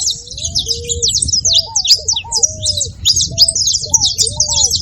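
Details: Saffron finch calling: thick layers of sharp, high-pitched chirps and short slurred notes, with lower, brief arched whistles scattered through and noticeable low-frequency background noise.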